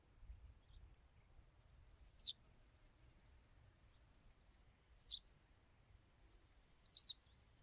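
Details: Song of a Western yellow wagtail: three thin, piercing notes, each sliding quickly downward, spaced about two to three seconds apart over quiet, low background hiss.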